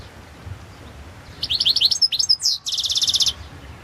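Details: European goldfinch of the Balkan subspecies Carduelis carduelis balcanica, a competition recording for a Serbian world championship in goldfinch song, 2022: bright twittering notes, sliding whistles, then a fast dry buzzy trill, all high-pitched.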